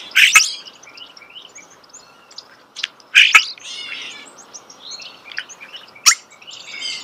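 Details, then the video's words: Starling song at close range: loud rasping bursts with clicks, repeated about every three seconds, linked by soft whistles, twitters and a steady wheezy chatter. "The song of the starling"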